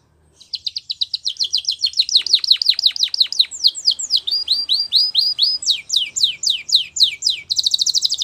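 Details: Belgian canary song for training: fast repeated notes speeding into strong downslurred chops, then slower sweeping notes, ending in a dense high buzzy trill.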